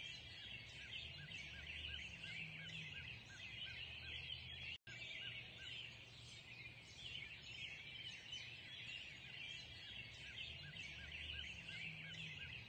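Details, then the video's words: At sunrise in the early morning, many birds sing together in a dense, steady chorus of high, overlapping chirps and trills over a low background hum. "Sunrise Early Morning Birds Singing"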